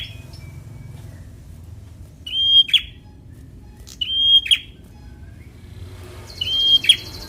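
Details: Fighter-style singing of a semi-young Bar-winged prinia, used to make lazy birds sing: three phrases of a level whistle snapping into a rasping burst, spaced about two seconds apart, with a brief buzzy hiss near the end.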